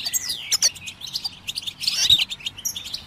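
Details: Scattered high goldfinch chirps and short twittering phrases, with a falling whistled note early on and a dense twitter burst near the two-second mark. The recording is used to stimulate birds to sing.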